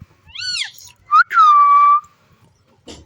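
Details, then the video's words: Green pet parrot playing and interacting with its owner: a raspy, arched call rising then falling, followed by a long steady whistled tone with a slight drop at the start, then a faint rustle. "Beautiful Green Parrot Playing & Making Stunning Sounds"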